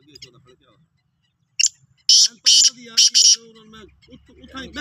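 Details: Black francolin of the Sindhi type, 16 March 2023, giving a rasping call of one short note then three loud buzzy bursts, with a man talking quietly underneath and after.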